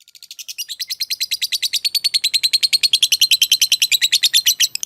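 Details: Lovebird giving a long ngekek trill, used as masteran to train and provoke other caged lovebirds: a rapid, even chatter of sharp high notes that starts softly, swells within a second and holds steady throughout.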